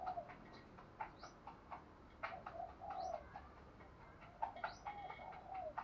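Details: Decoy spotted doves cooing to lure and stimulate wild doves. Repeated low, hooting coos are mixed with sharp clicks and taps over a steady background hiss.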